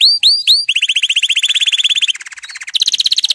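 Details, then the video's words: Canary song to get canaries singing: three swooping slurred notes, then a long rapid rolling trill that steps down in pitch and rises again into a bright high trill. "canari chant ساعة لتحفيز الكنار على الغناء"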